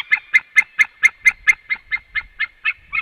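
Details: White-tailed eagle pair at the nest at 18:28, male and female calling on arrival before leaving; an evenly spaced series of about thirteen loud yelping barks, roughly four per second, fading slightly toward the end.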